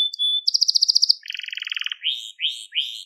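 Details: Song of a crested Gloster canary made for training young singers: a level whistle, a bright fast trill, a lower rattling trill, then three swelling upslurred whistles spaced under half a second apart.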